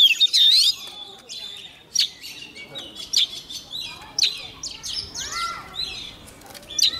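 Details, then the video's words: Young Oriental magpie-robin singing vigorously as a wild bird comes near: bright whistled notes with warbled flourishes, delivered in short loud bursts roughly once a second, with quieter chattering between phrases. "Choè than non lên hót cực sung khi bổi đến gần"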